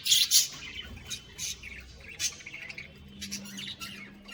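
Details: Caged budgie colony: a loud squawky chirp opens, followed by softer scattered high twitters over a low steady hum.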